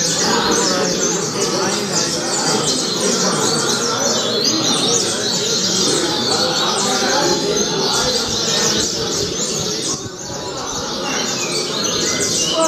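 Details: Altas Horas song style of a coleiro (double-collared seedeater): long run of bright falling whistled notes, nearly three per second, with a short pause near the end, under strong steady noise.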